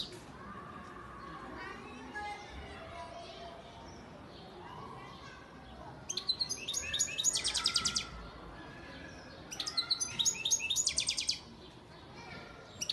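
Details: European goldfinch, a father bird from Antalya, Turkey, recorded 2018; after a quiet stretch with faint background noise, two bursts of rapid, sharp high twittering and rattling trills, each lasting about two seconds.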